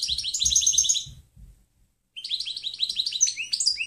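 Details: For training other birds, a European goldfinch sings clean song (canto limpio): a dense one-second burst of high rapid twitter, a brief quiet gap with soft low thumps, then more varied liquid, slurred twittering.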